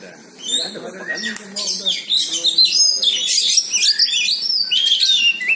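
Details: White-rumped shama meeting a rival, delivering an energetic jumble of high whistled phrases and harsh chatter that builds in loudness, over a faint lower murmur.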